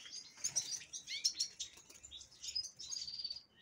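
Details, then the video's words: Young captive-bred black-throated canary of the impriga form from Angola, hatched 6 December 2023, delivering a fast, jumbled high-pitched warble of chirps, slurred notes and brief trills without pause. "Crithagra Atrogularis Impriga. Cantor de Angola."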